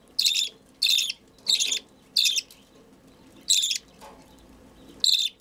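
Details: Hand-fed budgerigar chick calling with short, harsh, buzzy begging bursts, six in about five seconds and unevenly spaced, with quiet pauses and faint low handling noise between them.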